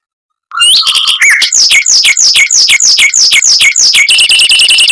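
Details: Fast, tightly packed mockingbird rolling with long bursts, played as a model for white-rumped shamas: a low whistle, then swooping repeated notes in quick succession, ending in a high steady trill.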